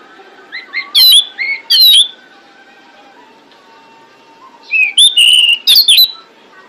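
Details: Female pied bushchat calling to attract males, used as a lure for other birds: two short bursts of sharp, bright whistled notes with clicky edges, then a pause and two more bursts, over faint distant bird twittering.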